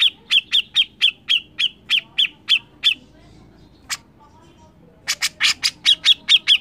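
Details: Grey-cheeked Bulbul, described as singing very loudly, gives rapid runs of harsh, scratchy notes, about three per second. The runs break off in a short pause, then resume.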